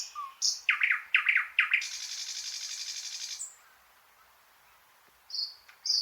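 A thrush nightingale sings a loud, varied phrase: a run of rich, falling chock notes, then a sustained dry rattling trill, with thin high whistles after a pause.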